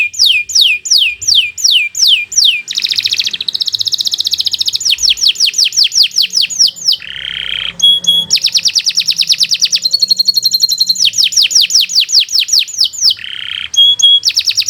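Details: Canary delivering long 'gacor' song for a training recording: many rapid downslurred whistles alternating with rattling buzzy trills and brief harsh rasps, sustained without pause.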